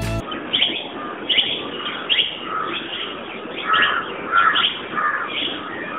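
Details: Plum-headed Parakeet in Sri Lanka, around Adam's Peak, Hatton, gives short, high, squeaky notes in quick bursts, roughly one or two a second, over a soft, muffled background.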